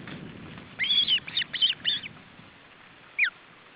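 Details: At the nest in July 2012 a male osprey tries to feed his chicks: a rapid run of four loud, slurred whistled chirps, then a single falling note after a short pause, against low background rumble.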